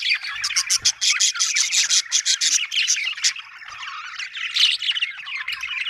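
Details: Happy budgerigar chirping, opening with a fast series of rasping pulses, about three per second, then flowing into continuous high twittering chatter.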